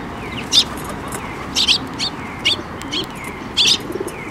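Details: Sparrows flying in to be fed at a bridge by a Tenmangu shrine on 5 May 2024, giving short, sharp chirps in scattered bursts, some doubled, about a dozen over four seconds, over a soft steady background hiss.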